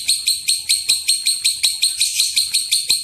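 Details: Lovebird lure call in extended ngekek style meant to set other lovebirds calling: a rapid string of about eight shrill, rasping chirps, evenly spaced, nearly three per second.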